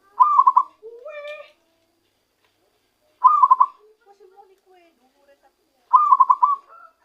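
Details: Zebra dove, recently lured and caught, giving its original song: three pulsed, bubbling coo phrases about three seconds apart, with a rising whistled note and soft low murmurs between them.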